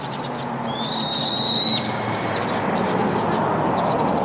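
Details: In the evening, a brown-eared bulbul perched on a rooftop gives one long, piercing, harsh screech that holds level for about a second and then trails off. Low background rumble and faint ticking sounds follow.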